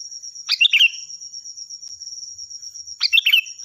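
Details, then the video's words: Sooty-headed bulbul, vigorous, loud and shrill song used as a master recording to train other birds: two short bubbly, liquid phrases of quick chirping notes about two and a half seconds apart, over a steady high-pitched whine. "Suara burung Kutilang Gacor || Nyaring dan keras cocok untuk masteran"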